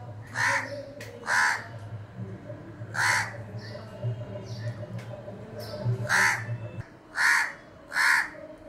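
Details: A crow at a house window gives a series of loud rasping caws spaced roughly a second apart, with fainter short calls in between and a low droning hum underneath for most of the recording.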